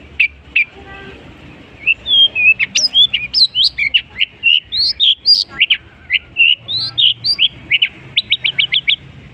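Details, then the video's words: Long-tailed shrike, a bird able to imitate any species, delivers a long varied medley: scattered single chips, then a dense run of rising and falling whistled notes. The sequence ends in a quick train of short repeated pips. "burung cendet bisa menirukan jenis burung apapun"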